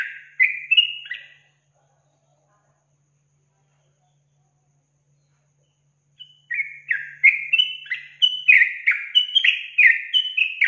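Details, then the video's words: Lure song of a sooty-headed bulbul meant to excite young birds. A brief burst of bubbly whistles, several seconds of silence, then a rapid, chattering series of repeated slurred whistles, about three per second. "Pancingan Trucukan Bikin Trucukan Bakalan Langsung Emosi"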